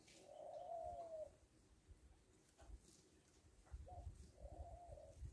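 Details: A rock dove (Columba livia) on a farm gives two drawn-out, low, throaty coos about four seconds apart, with a brief note between them, over a low background rumble.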